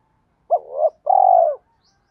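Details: Urging coo of a spotted dove, meant to stimulate kept birds into calling. A short accented hoot leads into a swelling murmur, followed by a sustained pulsing purr that drops at its end. A faint high tick near the close.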